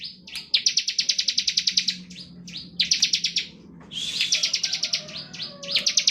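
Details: Bar-winged prinia singing continuously in ngebren style, used to provoke other birds to sing. Almost unbroken run of rapid, high, pulsed trills with only short pauses. A faint low hum sits underneath.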